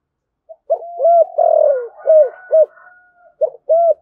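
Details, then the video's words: Spotted dove with a deep thổ sấm voice cooing rapidly and calling. Hooked coos roll out about twice a second around one long, loud, slurred coo, then pause. Two more quick coos close the run. "cu gáy thúc gù/ cu gáy thổ sấm thúc gù và gáy gọi"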